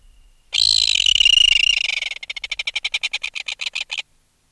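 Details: Adult red-billed tropicbird removed from its nest, alarm calling at close range: a loud, drawn-out raspy scream of over a second, breaking into a rapid staccato rattle of short harsh pulses that ends sharply.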